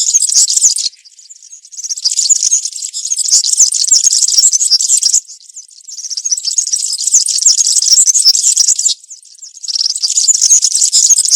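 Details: European serin in the forest delivering long runs of country-style song, a shrill, fizzing jingle of rapid high notes broken by three short quieter gaps.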